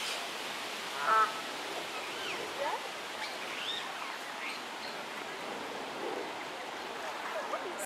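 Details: Extended Canada goose family, two pairs with five goslings, rushing around and diving on the Serpentine: one loud nasal honk near the start, then a busy spread of thin wavering peeps and softer calls over steady hiss.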